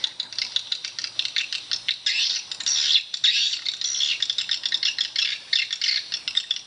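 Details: Swiftlets in a swiftlet house make crowded, rattling, high chirps, a dense buzzy chatter of many overlapping calls with brief dips in loudness.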